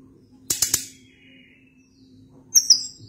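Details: Sunda blue robin song: three sharp clicking notes in quick succession, a faint drawn-out whistle, then two thin, very high piercing notes; low hum in the background.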